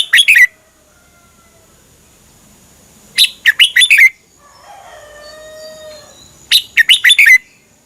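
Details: Caged Red-whiskered bulbul in Thailand, song used to train or excite other caged birds: three short bright phrases of four to five quick chirpy notes, about three seconds apart, over a faint steady high hum and a soft low whistle between.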